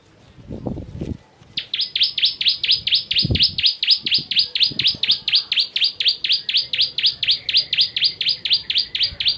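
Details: Indonesian bar-winged prinia (perenjak jawa) in 'kristal tembakan pedas' style for bird training: after some low knocks, a long unbroken run of sharp falling whistled notes repeated steadily, roughly four each second.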